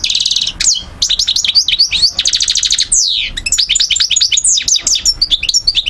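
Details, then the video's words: Goldfinch (parva subspecies) from Algiers, Algeria, recorded 2012, opening with a fast rattling trill, then bouncing chirps, another quick rattle and a long descending slur into lively twittering. "Carduelis* chardonneret* jilguero* حسون"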